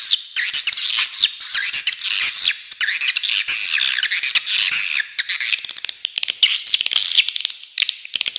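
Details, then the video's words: Loud squawking chatter of swiftlets, harsh rising and falling squeals overlapping densely, thinning into separate sharp chirps toward the end. "Suara Walet Original"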